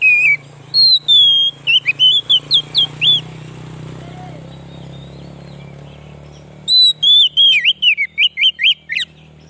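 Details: White-rumped shama song used as a lure to attract wild shamas: loud, clear whistled phrases with rising and falling slurred notes, a long pause of low hum, then a second rapid run of bright whistles.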